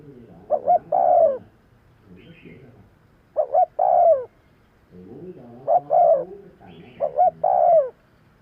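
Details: Spotted dove calling to lure birds for trapping, with four cooing phrases, each a short double note followed by a longer, lower, slightly falling coo, plus a few faint higher notes between phrases.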